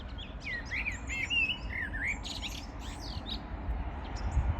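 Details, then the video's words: Birds in morning song, 14 June 2022: lively run of short upward-sweeping whistles and bright chirps, densest in the first two seconds, with lower rumbling noise underneath throughout. "Poranek śpiew ptaków"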